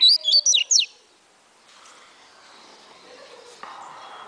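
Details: Double-collared seedeater, said to sing 16 to 28 songs per minute, gives a quick burst of four or five sharp, whistled notes sliding downward in under a second, then low steady background noise.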